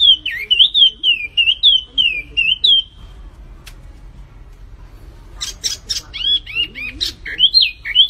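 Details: Flamboyan bird in full song: a rapid string of high, wavering whistled notes repeated about twice a second, a quiet gap, then sharp chips and more curling whistles, set against faint low hum.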